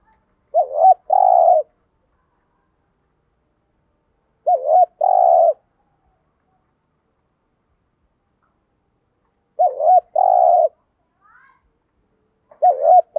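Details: A spotted dove gives low, soft coos in paired phrases, repeated every four to five seconds, described as a challenge or fighting coo.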